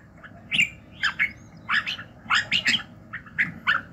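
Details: Red-whiskered bulbul in morning voice-training song, delivering separate rich, slurred two-note phrases at irregular intervals, some louder and more emphatic than others.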